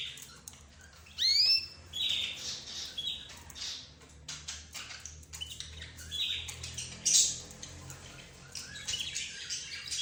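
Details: Budgerigars, zebra finches and canaries kept together give scattered high chirps and squeaks. One sharp upward sweep stands out, followed by softer, broken twitters and clicks over a low hum.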